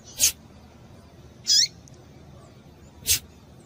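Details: Calling female rusty-collared seedeater, used to stir up males: three short high notes spaced roughly one and a half seconds apart, sharp clicky chips flanking a descending chirp, with little else audible.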